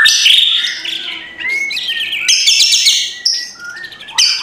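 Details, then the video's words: White-rumped shama singing rough kretekan phrases to rouse a lazy bird in the morning: busy, loud mix of whistled slurs, crackling chatter and sharp high notes in rapid succession. "MURAI BATU LANGSUNG NGEGASS KRETEKAN K4SAR SUARA RAME || Memancing emosi murai batu malas bunyi"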